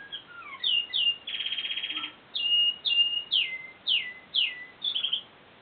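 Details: Caged male American Singer canary, seven months old, singing just after his cage was cleaned: sweet whistled downslurred notes, a fast even trill of about a second, then a series of bright rising-falling chirps repeated roughly every half second.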